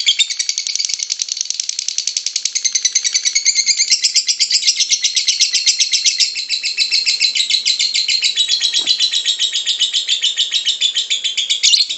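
A lovebird chatters without pause in a long, rapid, high-pitched stream of shrill notes.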